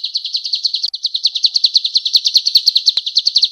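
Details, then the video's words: Vigorous male golden-bellied gerygone song for tutoring other birds: fast, steady, high-pitched chipping notes repeated about six times per second throughout, with one brief break near the start. "SUARA BURUNG CIU KUNYIT JANTAN GACOR"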